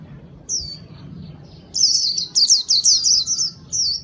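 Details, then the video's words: Lure song of a white-eye: one high descending note, a pause, then a fast tumbling series of shrill chirps and a final sliding whistle. "Kicau pleci gacor paling ampuh buat pikat"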